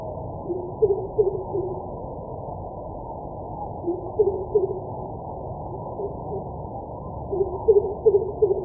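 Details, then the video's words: Greater coucal, Bengali name kubo, also called crow pheasant: three bursts of deep, resonant hooting notes, each burst a quick run of four or so whoops, spaced a few seconds apart over steady low background hiss. "Greater Coucal Call"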